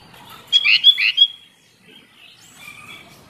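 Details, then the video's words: A single short, rich phrase of four liquid chirps from a sooty-headed bulbul, used as a lure for lazy singers, followed by quieter, fainter twittering. "Kicau Burung Kutilang Buat Pancingan Kutilang Malas Berkicau"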